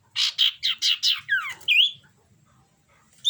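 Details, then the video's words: Common iora in breeding condition: five rough buzzy notes in quick succession, then a downward-sliding whistle and a rising whistled note, followed by silence and a final short note. "Burung cipo birahi"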